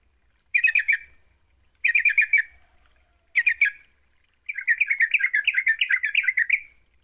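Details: Lure song of a yellow-vented bulbul, meant to set a silent bird singing: three short chattering bursts about a second apart, followed by a longer run of bubbly, rapidly repeated notes.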